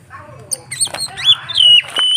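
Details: Kacer, the Oriental magpie-robin, in vigorous song: soft scratchy notes at first, then loud sustained whistles with upward slides, a low hum beneath throughout.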